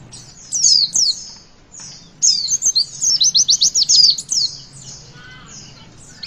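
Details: Javan white-eye singing in the witwit style to stimulate young birds: two high slurred notes, a pause, then a fast run of about a dozen crisp notes, trailing into softer whistles. A lower chirp appears late.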